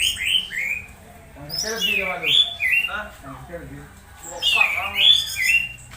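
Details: Orange-headed thrush producing unusual sounds while stimulated, used as a singing lure during dew exposure; slurred whistled notes alternate with harsh, buzzy squawks in separate bursts every second or two.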